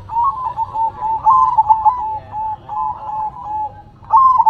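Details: Perkutut singing as it shakes its head: wavering, broken coos run almost continuously at one pitch, with a sharper stuttering phrase at the end.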